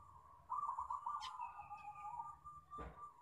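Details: Local zebra dove used as a singing lure for other doves: one rolling, bubbling trilled coo phrase held for about two seconds, with a low background rumble and a faint click.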